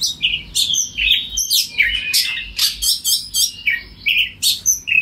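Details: Oriental magpie-robin (kacer) in energetic 'ngeplong' song, calling another bird which replies; rapid sequence of whistles, rising and falling slurs and rasping chips, roughly one phrase every second.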